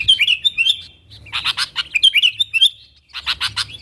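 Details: Sooty-headed bulbul calling to bring wild birds closer: a run of bright whistled notes, then rapid rattling clicks, more whistles, and a final clicking burst.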